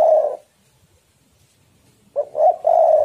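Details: Spotted dove singing in a heated exchange, a lure for prompting doves to sing: the tail of one loud, low coo, a pause, then a stuttered lead-in and a long rolling coo.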